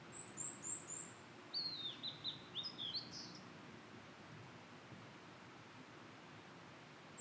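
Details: Singing Blue-and-white flycatcher in satoyama countryside: very high thin whistles followed by a lower string of clear, downward-slurred notes and a short buzzy flourish, over soft background hiss.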